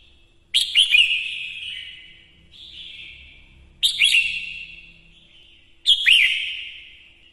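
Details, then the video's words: A female red-whiskered bulbul, used as a lure bird to stimulate males, sings three bright, bubbling phrases about two seconds apart, each opening with sharp high notes and trailing off in a softer falling whistle. "Chào mào mái mồi hót kích trống căng lửa"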